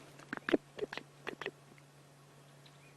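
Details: A Chinspot Batis gives an alarm: a quick burst of harsh, clicking chatter notes in the first second and a half, over a steady low engine hum. Recorded on a late-afternoon safari drive on 28 June 2016, warm, with a northwest wind.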